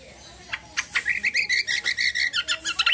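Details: Kecial kombo (cucak kombo) in gacor roll tembak style: a quick, evenly spaced series of buzzy, harsh notes repeated about five times a second, rising in intensity toward the end.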